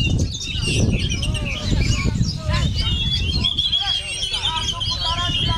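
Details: Oriental magpie-robin keeps singing while buffeted by strong wind; heavy low roaring gusts fill the background as quick whistled arcs, trills and chattering phrases continue above, growing busier toward the end.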